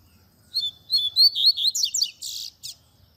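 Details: Double-collared seedeater song used to teach young birds to sing, a tui tui zel zel style: a quick run of high whistled notes climbing into buzzy rapid trills, ending in harsh chattering bursts.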